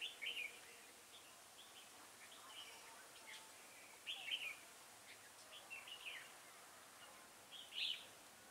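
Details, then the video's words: Decoy red-whiskered bulbul in a trapping setup sings short, bright warbled phrases spaced a few seconds apart, with faint chirps between them against a hissy background. "Bẫy chào mào Đinh lân - hầu Dê dài như cái bơm"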